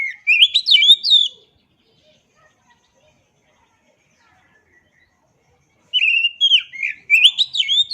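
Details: Oriental magpie-robin song used as a tutor recording for caged birds: two bursts of loud, varied whistled phrases with rising and falling slurred notes, separated by about four seconds of near silence.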